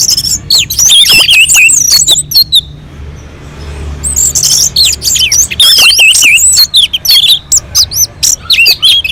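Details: Orange-headed thrush from a mountain slope, singing to stir other birds into song: energetic, rapid bursts of squeaky whistles and chattering slurs, nearly four notes per second, with a quiet gap of about a second and a half early on.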